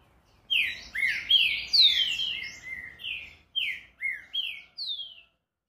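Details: Green-winged saltator (trinca-ferro) singing a fast phrase of clear, whistled notes, several sliding downward and others rising, about eight notes delivered in quick succession over five seconds. The background is quiet.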